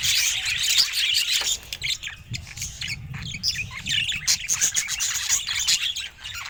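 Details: Budgerigars chattering in bursts of quick, squawky high chirps that come and go irregularly, with quieter gaps between the louder passages.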